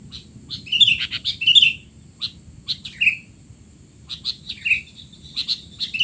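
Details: Sooty-headed bulbul giving scattered, sharp chirps and short slurred squeaks in a noisy 'teler' chatter meant for tutoring young birds, separated by brief gaps, with a steady background hiss.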